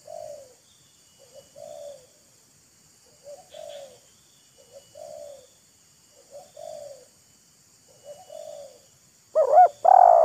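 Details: Spotted dove exchange between a wild bird and a decoy bird showing off, taunting and luring. Six soft, short coos at a steady pace, then a sudden loud looping double coo and a long coo at the end.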